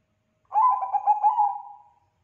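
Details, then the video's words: Bangkok-strain zebra dove singing loudly as bait for other doves to respond. It gives one clear phrase, a short series of rolling notes that fades into a smooth, prolonged coo. No other birds are heard. "Perkutut bangkok gacor suaranya bikin perkutut lain pada nyaut"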